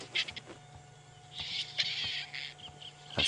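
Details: A recording of a White-backed Vulture's harsh, breathy hiss, played quietly from a safari vehicle, comes in rough one-second bursts over a low engine hum and a few faint clicks.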